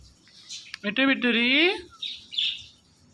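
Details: Indian ringneck talking parrot uttering one drawn, nasal, meow-like call that slides slightly downward, then soft hissy noises afterward.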